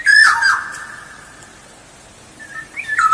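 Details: Black-naped oriole lure sound: a rough squawk merging into a held fluty whistle. Silence follows, then the start of another whistled phrase.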